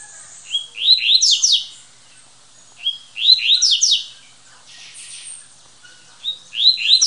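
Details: Champion double-collared seedeater, a captive bird kept at its breeder's home, winner of a municipal tournament with 22 songs in one minute: three short buzzy phrases of rapid descending sweeps, repeated about every three seconds.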